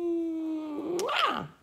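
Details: A pet Quaker parrot says "pretty bird" in a voice-like tone, a long level note then a quick rising and falling syllable, in a small quiet room.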